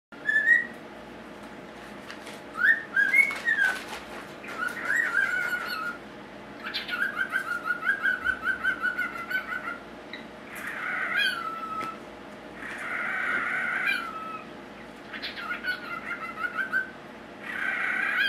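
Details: Cockatiel (Nymphicus hollandicus), a female pet, mimicking a phone ring with bursts of rapid warbling trills and bright whistled notes; she also says her name and "What cha doing".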